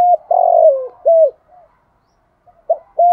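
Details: Spotted dove kept as a decoy to attract wild doves, singing 'giọng thổ' style. The buzzy falling coo and a clear final coo end one phrase, a pause follows, then a new phrase begins with short notes and a level coo.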